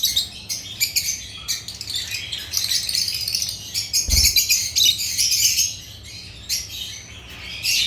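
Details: Lovebirds of the genus Agapornis from Africa give a busy mix of shrill, high chirps and rattling chatter, loud in the middle and fading toward the end, with one low thud.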